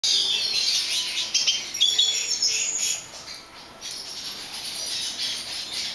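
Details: Lesser goldfinch of subspecies jouyi, recorded in 2011 in a bird-breeding setting: rapid, high, twittering chirps and thin whistled notes run almost continuously, with brief louder bursts around the second and third seconds.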